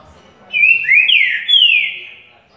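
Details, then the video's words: Green-winged saltator at waking, delivering one ringing whistled phrase of connected slides, low-rising note, a high burst and a long downward-sliding whistle fading out, quiet surroundings. "#TrincaFerro CURRUCUTIL BOI"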